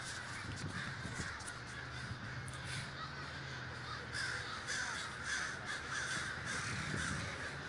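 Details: Crows at a large communal gathering in Davis, California; many distant harsh caws overlapping in a steady chorus, with a low rumble of traffic or wind throughout.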